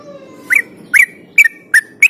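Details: Yellow-vented bulbul song used as a lure to get other bulbuls singing: five bright, bubbly whistled notes about every half second, each bending up then down, over faint low background hiss.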